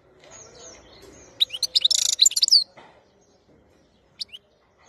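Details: Song of a European goldfinch recorded in 2021: one lively outburst of quick, sharp chirps around a harsh buzzy trill, then quiet with two brief high notes.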